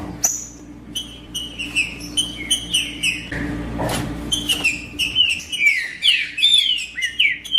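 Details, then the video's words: Green-winged saltator in the wild, a free bird in the bush, delivering repeated whistled notes that later become swooping, falling slurs, with a brief burst of broadband noise midway and a faint constant low hum underneath. "ESQUENTAR TRINCA FERRO RÁPIDO COM TRINCA FERRO NO MATO"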